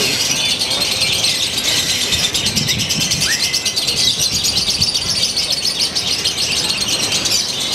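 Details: Indonesian lovebird from Purwakarta, kept for song contests, performing a new eccentric style with shortened gaps: an unbroken, high, buzzy chattering stream, with one upward-curving whistle midway. Low murmuring is heard underneath.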